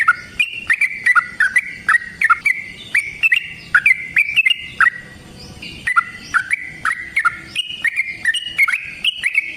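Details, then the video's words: Caged yellow-vented bulbul in a long fighting song used as a lure to make another bird sing: fast rich warbling whistles, slurred up and down in quick runs broken by a short pause. "Suara Burung TRUCUKAN gacor TARUNG ROPEL PANJANG pancingan trucukan agar JADI trucuk gacor EMOSI"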